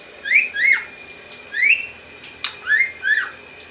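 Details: A pet lorikeet mimics R2-D2 robot sounds from Star Wars: quick, rising, whistled chirps, often paired, with a sharp squeak between them over a faint steady hum.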